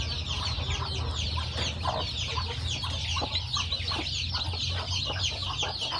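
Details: Chicks hatched by a hen, peeping constantly in a crowded high-pitched chorus, with scattered short lower notes and a steady low hum behind.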